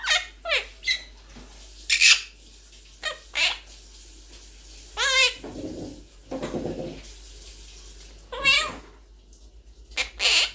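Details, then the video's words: Quaker parrot, the monk parakeet, kept as a pet, giving short sharp squawks and rising and falling warbled notes in scattered bursts, with a low steady hum underneath. "Talking Blue Parrot | Quaker Parrot Speaking | Quaker Parrot Talking"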